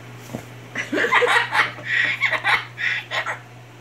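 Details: A male pet umbrella cockatoo that loves to laugh gives a run of hoarse, human-like laughing bursts, about eight chuckles in three seconds, with a few quiet spoken Dutch words nearby.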